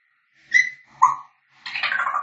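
A grey parrot gives two clear whistles, the first higher and the second lower and falling, then a harsh, raspy squawk.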